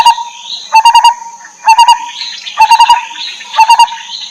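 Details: Lineated barbet feeding baby birds in the wild. Four bursts of quick low hoots, three to four notes each, about one per second, with soft rising whistles filling the gaps over a thin steady hiss.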